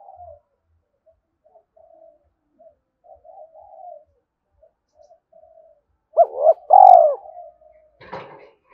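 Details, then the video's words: Decoy spotted dove luring wild males: several seconds of faint, low murmuring coos, then a loud phrase of a quick hooked coo and a long descending coo, ended by a sharp click. "cu gay kich boi nhanh noi/ tieng cu moi chuan de kich boi"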